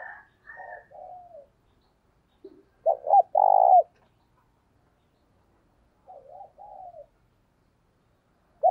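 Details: Decoy spotted dove calling to lure other doves: soft low coos, then a stuttering pair of notes leading into one loud drawn-out coo, followed by quieter wavering coos after a pause. The background is otherwise silent.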